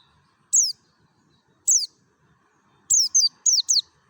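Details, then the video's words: Mountain white-eye from Merapi in wild-style 'ngalas' song, used as a lure to set other white-eyes singing: sharp, very high, downward-sliding chirps, two single notes a second apart, then a quick burst of four. "SUARA NGALAS SAMPAI PARUHNYA SOBEK❗PANCINGAN PLECI DAKUN MERAPI"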